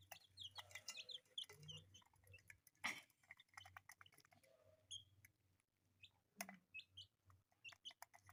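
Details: Colourful pet chicks peeping in short high notes scattered through the recording, mixed with clicks and tapping sounds and a steady low hum underneath.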